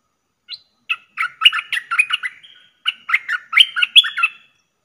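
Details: A cage streak-eared bulbul (merbah lekir) recorded as a lure sound, dated 19/09/2021, gives quick bursts of bright, chattering notes in two runs of rapid chirps, with no other sounds.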